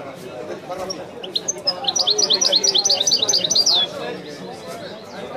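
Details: European goldfinch singing, a master song bird: after scattered notes, a fast run of bright high chirps repeating over about two seconds ending in a buzzy downward slur, with low human chatter throughout.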